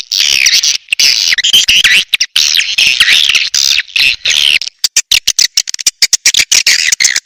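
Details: {'caption': 'Swiftlet call used to lure swiftlets in: dense, shrill chattering twitters with wavering high notes, nearly continuous, broken into rapid choppy pieces toward the end.'}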